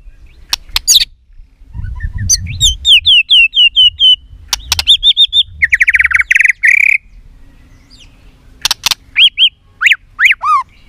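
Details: Fighting song of a caged white-rumped shama in Vietnam: quick strings of high chirped notes, a harsh buzzy burst, sharp clicks, and a few descending whistles, with low rumbling background noise.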